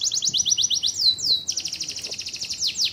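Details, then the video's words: Caged canary in competition-style song, rapid repeated whistled syllables sweeping high, broken by descending slurred notes and buzzy trills, continuous and loud throughout. "KENARI BOJO GALAK"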